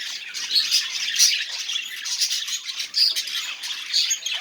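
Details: Budgerigar song for encouraging non-singing budgies, a busy flow of scratchy warbles broken by a few clear squeaky whistles and short louder bursts.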